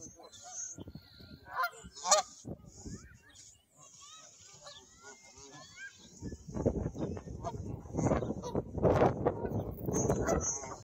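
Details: Canada geese passing overhead at Pier 4. Scattered nasal honks are clearest in the first half, then fade under loud rumbling wind or handling noise that fills the later seconds.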